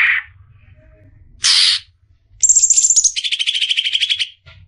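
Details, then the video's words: Greater green leafbird, locally cucak ijo, a bird kept for training as a song-contest prospect, giving a short whistle, a buzzy burst, then a high sliding note dropping into a rapid rattling trill. "masteran suara burung cucak ijo calon juara"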